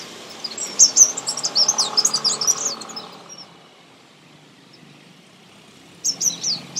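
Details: Sunbird, described as a common Indian bird, singing in a garden: a quick run of sharp, very high twittering notes for about two and a half seconds, a quiet pause, then a brief similar burst near the end over faint low hum.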